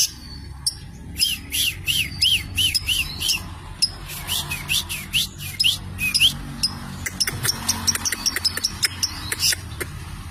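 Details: Long-tailed shrike singing: a run of sharp, high rising-and-falling chirps, then scattered whistled notes and quick clicks over steady low rumbling background noise.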